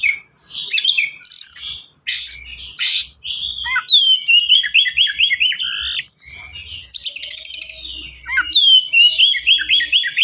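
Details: Caged white-rumped shama singing a long, dense, varied song with rattles, harsh bursts, whistled downslides and fast runs of repeated looping chirps, including a rapid machine-gun series of clicks.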